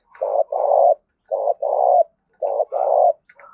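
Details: Spotted dove cooing in the thúc and gáy gọi styles with a field-native voice: three phrases, each a short low coo followed by a longer, steady hollow coo, repeated roughly every second; quiet background.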